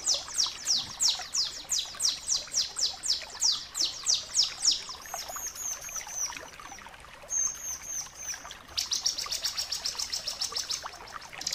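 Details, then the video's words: Long clear song of a bar-winged prinia, crystal variety, meant to train caged birds to sing: a steady run of high downward-swept notes about three per second, a quieter gap, then a dense buzzy high trill. "masteran suara ciblek kristal gacor jernih"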